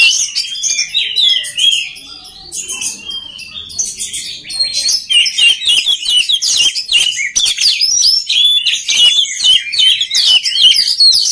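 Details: Oriental magpie-robin in full song, meant to coach other magpie-robins: quieter varied whistles at first, then a rich, fast torrent of chirps, trills and sweeping whistles.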